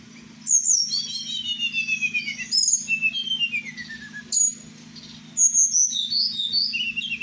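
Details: Kept tledekan Merapi, a blue flycatcher, sings at night with long descending whistled slurs, a short high note after a pause, then quick warbled phrases, accompanied by a steady low hum.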